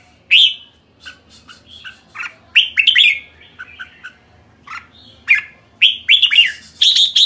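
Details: Red-whiskered bulbul chattering with repeated bright chirps and whistled phrases, loud bursts separated by quieter notes, ending in a fast run of sharp notes.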